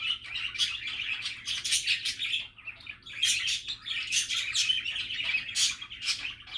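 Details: Budgie chatter with steady overlapping chirps and rapid warbled phrases. Loud bright pulses come in irregular clusters throughout, with no pause.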